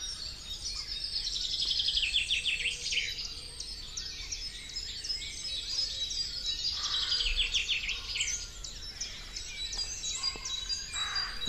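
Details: Goldcrest in spring woodland within a kingfisher breeding territory by streams: very high, thin phrases of rapid notes, each sliding downward and repeating every few seconds, over a soft low rumble.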